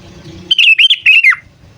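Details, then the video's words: Calling sooty-headed bulbul used as a lure for wild birds: one rapid, bubbling, warbled phrase of several linked notes that ends in a short downward slur, over faint low background hum. "Suara Burung Kutilang Memanggil"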